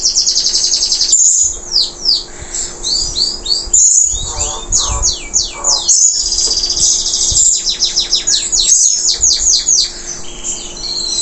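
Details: Post-moult local canary in full, energetic song: dense phrases of high sweeping whistles, fast rattling trills and looping slurred notes, broken by brief pauses roughly every two seconds.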